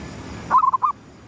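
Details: Zebra dove of the gedong mengo type cooing at sunrise, a lure call: one brief phrase of four or five clipped, mid-pitched cooing notes, the first slightly higher, over a faint steady hiss.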